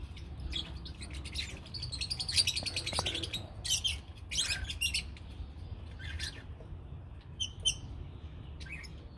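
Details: A colony of lovebirds gives shrill, high chirps in short bursts, some rapid and stuttering, scattered across the recording over a steady low hum.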